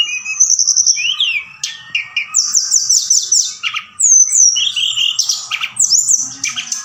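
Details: Night-time forktail lure sound meant to rouse other birds into singing back; a rapid run of high whistles, trills and repeated down-slurred notes, loud and almost continuous.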